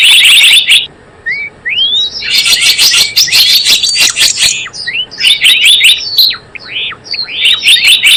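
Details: Java sparrow used to lure birds for trapping: dense high chattering chirps with sliding whistled notes, nearly continuous with a short gap early on.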